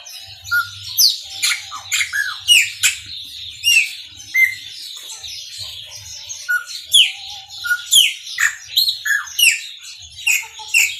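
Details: A chopi blackbird, named as a Maranhãozinho singer, pours out a long, energetic song of loud whistled downslurs, rising chips and liquid notes, phrases coming in rapid regular pulses for over ten seconds, with low hum faintly beneath.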